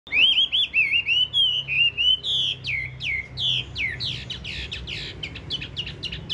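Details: Tame caged Chinese hwamei with yellow legs and yellow bill, described as loud-voiced: a run of bright, clear whistled phrases, upslurred and warbling, repeated rapidly and speeding into short choppy notes toward the end.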